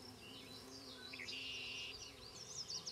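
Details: Banded Black-capped Chickadees feeding nestlings at a fence-post nest near Queen's University Biological Station in spring 2006. High, thin wavering notes come in quick bursts, with a steady whistled tone held for about half a second. A low hum runs underneath.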